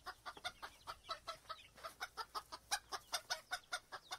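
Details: Chicken clucking in a steady series of short, bright pulses, about two and a half per second, each a brief burst with harmonics; fairly quiet with a faint background hiss.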